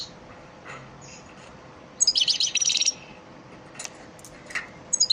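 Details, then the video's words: Training song of an elmacık European goldfinch for caged birds: one loud second-long burst of quick, sparkling twitters amid scattered thin, high single notes. "elmacık saka ders ötüm dersi"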